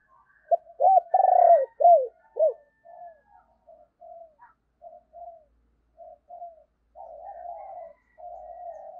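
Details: Spotted dove decoy urging wild birds to coo quickly: a run of five loud, arched hooting notes, then softer, low coos spaced about a second apart, ending in a longer trembling coo.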